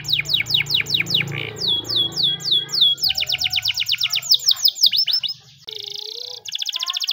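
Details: Morning canary training song made of quick series of downward-sweeping whistled notes repeated several times a second, shifting into tight rapid trills and a brief buzzy rolled phrase; low background hum in the first half.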